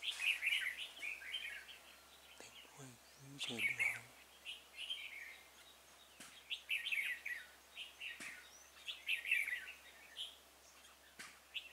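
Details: Singing Red-whiskered bulbul at a trapping site on 26 February 2018, acting as a decoy to draw in wild birds: lively warbled phrases repeated every second or two, with a brief low human voice midway.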